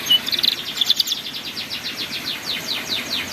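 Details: Canary ngeriwik-style master song for young canaries learning to sing: rapid high chirps and short buzzy trills, dense at first, then a steady run of evenly spaced sweeping notes, with faint background hiss.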